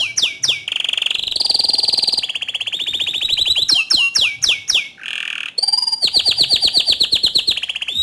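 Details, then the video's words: Persistent song of a bottle-green canary, offered as a model for training juvenile and untrained canaries: shrill fast trills, buzzy rattles and a sustained whistle, then long series of sharp, evenly repeated high notes. "Kicau Kenari Hijau Botol Gacor Dor Cocok Untuk Masteran Kenari Paud dan Bahan"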